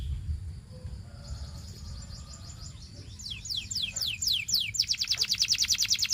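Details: Belgian canary singing, which is said to encourage other canaries to sing; after a quiet, noisy start, a soft trill builds into swooping downslurred whistles and ends in a loud rapid pulsing trill.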